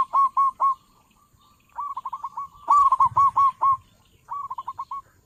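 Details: Local zebra dove with a big voice, used to lure doves for trapping: several bouts of fast rippling coos, loud warbled phrases alternating with softer trilled runs, with brief low rumbling underneath.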